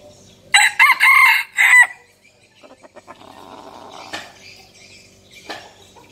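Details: Red junglefowl decoy male crowing once, a harsh phrase broken into three bursts over about one and a half seconds, then soft clucks, scratching and faint distant calls.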